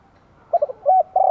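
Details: Spotted dove used as a lure bird in Vietnam: quick stuttering soft notes followed by a level hollow coo and the start of another sustained coo, clear over slight background noise.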